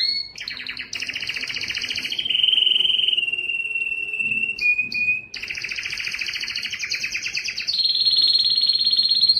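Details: Strong courtship song of a Belgian canary aimed at attracting females for breeding: a continuous chain of rolling trills, buzzy rattles and held whistled tones, changing pitch every second or two, with a short break midway.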